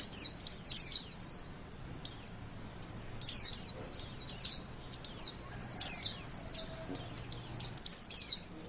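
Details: Lure song of a white-eye, high-pitched and twittering, with fast slurred whistles bunched into short bursts that follow one another almost without pause.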